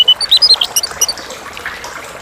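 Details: Brief clear phrase from a chestnut-capped thrush, anis kembang: a quick run of bright, pulsed whistled notes lasting about a second, then quiet.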